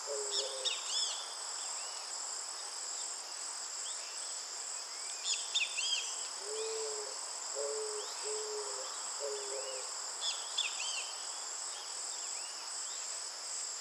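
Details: Eared dove singing: a series of four short, low, hollow coos spread over several seconds, set against a loud, steady insect chorus and scattered high chirps from other birds.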